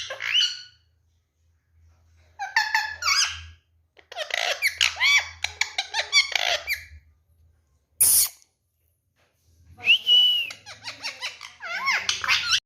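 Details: Indian ringneck parakeet, a sixteen-year-old pet, chattering in squeaky mimicked speech: bursts of rapid syllables and arched whistled notes separated by pauses, one sharp click near the middle, low hum underneath.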